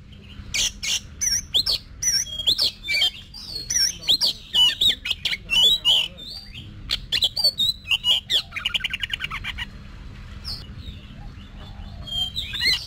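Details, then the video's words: Kept Oriental magpie-robin training its fighting song: a long, rapid stream of clicks, whistles and twisting notes, then a harsh buzzy rattle and a quieter close, with a low hum beneath. "Luyện Giọng Cho Chòe Than Hót Đấu"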